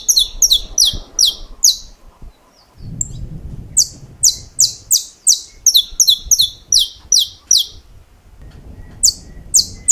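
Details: Saffron finch known for its 'estalos' song, rattling out crisp, sharp high snaps in fast repeated phrases, with a brief gap filled by low bumping noise, then long steady runs of the same clipped notes to the end.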